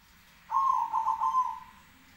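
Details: A single zebra dove coo, part of an exchange of answering calls: a loud, rolling, burbling phrase of about a second that wavers and slowly fades downward, against quiet surroundings.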